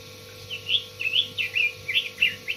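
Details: Short run of Red-billed leiothrix song: loud, rounded whistled notes with quick upward and downward slurs, spaced evenly, over a steady low hum.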